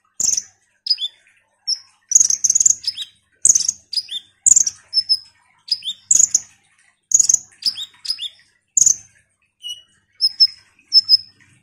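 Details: Ruby-cheeked sunbird in full song, meant to provoke rival birds into singing: steady run of high, piercing chirps with falling tails, repeated roughly every half second, broken by thin level whistled notes.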